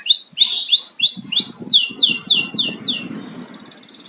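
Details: Caged house-kept canary singing: series of loud, bright downward-curving whistled notes repeated about three per second, shifting mid-song to a faster rolling run, then a fine trill at the end, with faint low clatter behind.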